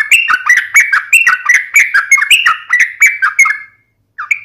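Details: Yellow-vented bulbul (trucukan) in lively fighting-style song, a run of bubbly, slurred whistled phrases repeated about three times a second, with sharp high ticks layered over them, ending in a short pause and one more note.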